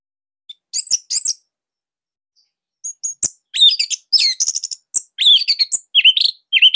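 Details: Orange-headed thrush singing, a master song for training other songbirds; varied high whistled notes and rapid twittering phrases, some slurred downward, delivered in bursts with short pauses.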